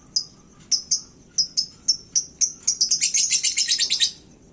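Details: Caged lovebird singing hot from its hanging cage, a sound said to provoke other birds: sharp, high chirps at uneven intervals that speed into a dense, rapid chattering run near the end.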